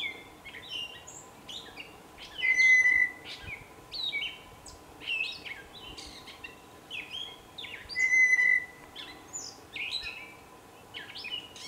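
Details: A blue jay singing with a little dance gives two loud, ringing calls about five seconds apart, over a busy background of high chirps and twitters from other small birds.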